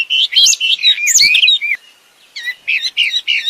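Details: Wild wambi in lively song: quick high warbling chirps and swooping whistles, a short pause, then four crisp repeated notes, clear against a quiet background.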